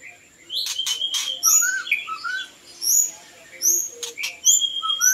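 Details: Varied song of the white-rumped shama, Copsychus malabaricus, used as a bird lure: very high thin whistles with lower slurred notes and loud clicks, over a faint steady high tone.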